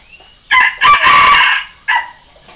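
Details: One loud crow from a decoy junglefowl cock for luring wild junglefowl: a short first syllable, a long harsh middle stretch and a quick closing note, with a faint thin whistle before it.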